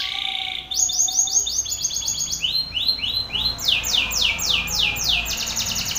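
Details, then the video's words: Belgian canary, a male, belting out song at a rival male: a short, low whistle at the start, then rapid high trills whose syllables slow into broad, rolling sweeps and speed up again. "Canário belga BRAVO CANTANDO FORTE na cara de outro macho !"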